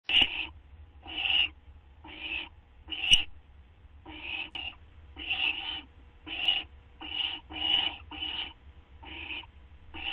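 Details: Owl recorded on August 30, 2011 at 2:16 AM while receiving a treat: harsh, hissing rasps in short bursts, roughly one per second, with steady low hum underneath.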